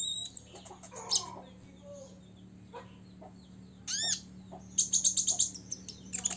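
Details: Six-year-old caged Olive-backed Sunbird singing to provoke rivals: thin, high chirps and sharp upward-sweeping notes, then a quick run of bright repeated notes forming a buzzy trill near the end, over a steady low electrical hum.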